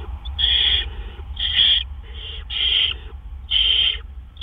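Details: Great horned owl at a nest on April 10, 2013, at 1:43 AM, as an adult delivers a gopher. Harsh, raspy screeches repeat about once a second, five in quick succession over a steady low rumble.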